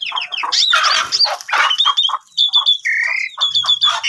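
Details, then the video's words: Asian pied starling lure song for starlings that have gone quiet: loud harsh squawking rasps and chattering notes, then thin high whistles and a short steady mid-pitched tone, tightly packed. "Coba Gunakan Pancingan Ini ! Semua Jalak Suren Yang Lagi Pundung Macet Bunyi Seketika Langsung Emosi"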